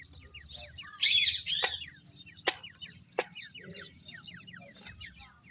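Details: Grey francolin (dakhni teetar) chicks fighting give a rapid series of thin high chirps after a burst of harsh squealing, with sharp click-like taps and a low steady hum.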